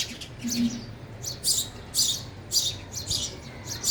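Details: Sparrows eating at a feeder, repeating loud, high, slightly harsh chirps roughly twice per second in uneven bursts over a quiet background.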